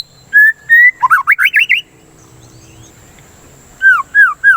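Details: Lure song of a white-rumped shama, used as therapy against breeding urge: two clear level whistles, a quick zigzag trill, a pause, then three downslurred whistles.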